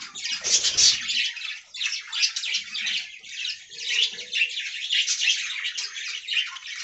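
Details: Budgerigars kept in an aviary colony chattering together: dense, continuous scratchy warbling and chirps, high-pitched and overlapping, with fast irregular bursts and no pauses, plus a brief low rumble at the start.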